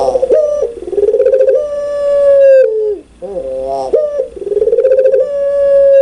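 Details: Loud, clear puter pelung spotted dove: a long throbbing coo stretching into a steady drawn-out tone that drops at the end, a brief break, then the pulsing coo starts again.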